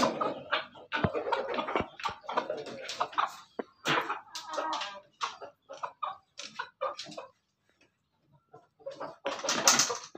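A laughing chicken crows in a long run of quick, choppy, cackling notes that stutter and break like laughter. A harsh, noisy burst follows near the end.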